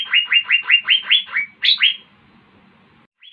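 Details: Asian fairy-bluebird in lively song, giving a brisk series of ringing downslurred whistled notes, about seven evenly spaced, then two higher slurred notes before falling quiet.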